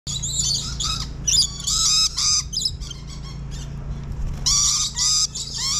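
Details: Lorikeets calling in the early morning in an aviary forest: loud screechy squawks and chattering bursts, several birds overlapping, with a steady low hum beneath.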